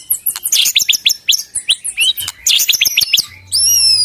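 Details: White-rumped shama singing gacor in pastol and trotol style: rapid strings of high, sharp chirps and whistles, a brief pause, then a long, clear, high whistle held over a low background hum.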